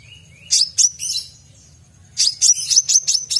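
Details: Brown-throated sunbird in full song: a thin rising whistle opens, followed by sharp high chirps, a pause with a steady faint tone, then a rapid run of piercing, clipped notes; low background hum.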